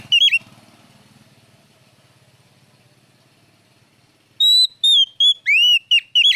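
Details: Oriental magpie-robin (kacer) in loud, clear lure song: a short whistled phrase, a long stretch of faint low hum, then a fast series of pure whistles and arching slurred notes.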